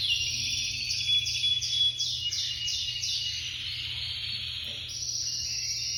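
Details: Spanish canary (espanholinha breed), ringed bird number 55, singing a continuous high canary song: rapid repeated chirped syllables in quick series, trills and sustained high notes, with a steady low hum beneath.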